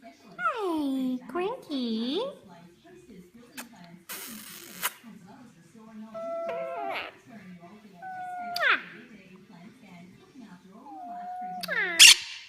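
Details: Pet blue monk (Quaker) parakeet (Myiopsitta monachus) gives swooping, voice-like whistles broken by harsh, scratchy squawks.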